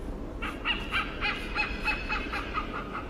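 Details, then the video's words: A hornbill in Singapore gives a rapid run of harsh, nasal cackling notes, about three or four each second, over a soft background hiss. "Hornbill makes sound like...#犀鸟 互动叫声"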